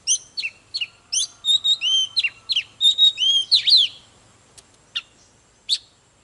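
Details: Oriental magpie-robin in full display song: a quick series of clear, slurred whistles and chirps for about four seconds, then a few isolated sharp notes with silence between them.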